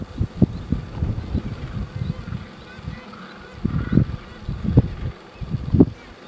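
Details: Wild Gentoo penguins walking through a breeding colony on Carcass Island, Falkland Islands, in January 2012: low, hoarse, honking brays in irregular pulses, roughly one per second, overlapping from several birds against a steady background rumble.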